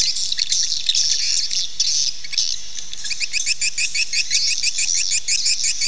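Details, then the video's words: Swiftlet calling sound meant to attract swiftlets to nest: shrill twittering at first, then from midway a rapid, even series of sharp ticking chirps repeating several times a second. "SUARA PANGGIL BURUNG WALET"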